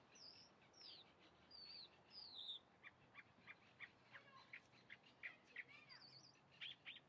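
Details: Chalk-browed mockingbird singing a varied sequence of high slurred whistles and short sharp notes, shifting to quicker clipped phrases in irregular rhythm, moderately distant.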